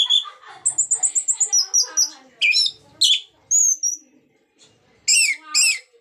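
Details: Song of the orange-headed thrush, used to stir lazy or silent birds of its kind into song: a fast string of sharp repeated piping notes, followed by varied whistled swoops and rasping bursts with short pauses.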